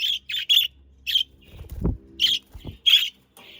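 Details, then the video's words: Pet budgerigars, Australian parakeets, from the Den Haag region of South Holland, Netherlands: short, bright chirping notes in bursts of two or three, with low dull knocks near the middle. "Sounds of Australian parakeets to stimulate your parakeets to sing"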